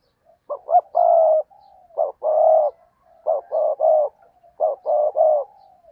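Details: Spotted dove decoy cooing in repeated groups of short hollow notes and longer low croons, four phrases in quick succession in a quiet setting.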